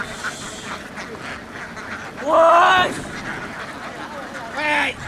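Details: Vietnamese laying ducks, a flock heading across a field and down onto a boat, give two loud, harsh, nasal quacks. The first rises and falls over about half a second, and a shorter one follows two seconds later over murmuring flock noise.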